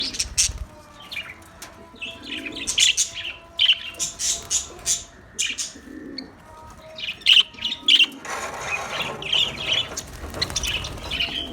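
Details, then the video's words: Australian parrots chirping in bursts of bright, high squawky notes, several clustered calls then short pauses, with a faint steady hum beneath and a busier chatter toward the end. "Beautiful Australian parrot video Bird Chirping sounds"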